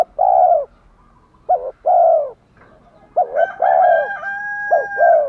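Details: Cooing of spotted doves, female and male, played to make newly caught birds coo at once. Long falling coos alternate with short paired notes, and a sustained thin whistle joins near the end.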